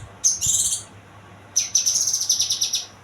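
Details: Young kinoy giving two high, rapid trilled bursts, the second a longer stuttering series of about a dozen quick notes, over a soft low hum.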